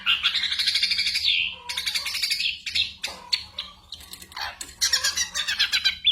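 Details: Ashy drongo song packed with imitations of other birds and gunshot-like sounds, used as a tutor for songbirds such as the white-rumped shama: dense harsh chattering and buzzy rattles, rising and falling, with brief pauses.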